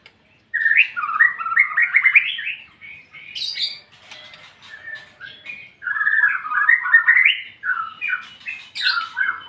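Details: White-rumped shama in ngeplong song, delivering bursts of loud, varied whistled notes, some sliding down and others rising sharply, broken by a quieter stretch of softer twitters before another strong phrase.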